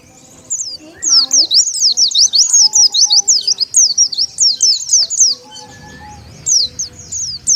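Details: High, rapid twittering of the Oriental white-eye played as a lure to attract wild ones, zigzagging thin notes strung in a quick chattering run, then a brief lull and a few final chirps, soft low rumble behind.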